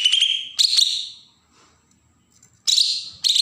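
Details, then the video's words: Bornean green leafbird from Berau, Kalimantan, in agitated provoking song: short bursts of scratchy, trilled high notes with whistled tones, a quiet gap of over a second, then two more bursts. "cucak ijo Kalimantan suara besetan pancingan burung bakalan"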